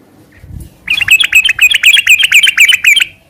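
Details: Sooty-headed bulbul delivering fast ngeropel song. After a soft low murmur, a dense burst of clipped, chirping notes follows, about four per second and evenly spaced, then stops abruptly.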